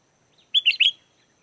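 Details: Sooty-headed bulbul song as lure material for wild birds: a single rapid phrase of three bubbly, whistled notes with a lilting up-and-down pattern.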